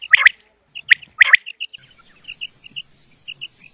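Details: Common quail calls used for quail hunting: a few loud, sharp clustered notes early on, then a run of soft, short high chirps spaced irregularly, with several birds calling.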